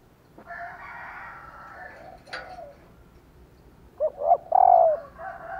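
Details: Female spotted dove call, played to stir males into cooing. A steady background hum and a brief clatter come first, then a soft three-part coo phrase, two quick notes and a longer falling coo.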